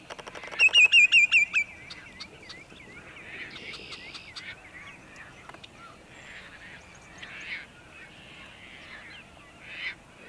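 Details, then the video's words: Sandpipers at sunset in Montezuma, New York, on 6 May 2019, with waterfowl nearby: a quick burst of about six loud, wavering whistled notes, followed by fainter scattered calls from other birds. "Sandpipers Serenade the Sunset"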